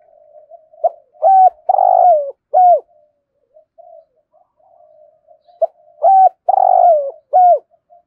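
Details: Spotted dove kept as a lure, calling to wild birds in the morning. Two clear cooing phrases about five seconds apart, each a quick note followed by three mellow coos, the middle one longest and falling, with soft quieter notes in between.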